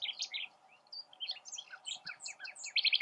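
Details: Nightingale perched in a tamarisk, pouring out quick, varied high chirps and slurred whistles that end in a fast, metallic rattle, with a faint steady hum beneath.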